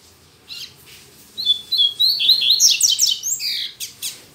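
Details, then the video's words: Double-collared seedeater, a caged male kept for song, singing in the morning on a Saturday, still weak; a hurried series of high whistled and chirped notes, some slurred downward, with short buzzy bursts in between. "Coleiro Mack Cantando Muito Pela Manhã"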